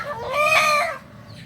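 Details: Kokok Balenggek rooster, a native singing chicken of Solok, West Sumatra, bred for its multi-tiered crow. A single short, rich harmonic note rises, holds briefly at its peak, then falls away, with quiet background hum.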